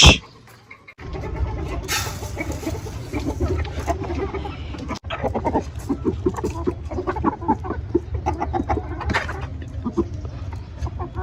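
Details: Chickens, apparently kept birds in a poultry setting, clucking in low, repeated, throaty notes over a steady background rumble, with occasional louder squawks.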